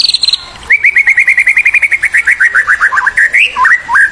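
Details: White-rumped shama song used as a master recording to stimulate young birds: a fast steady series of about twenty short clipped whistles, then twisting, varied phrases at the end, preceded by a brief high trill.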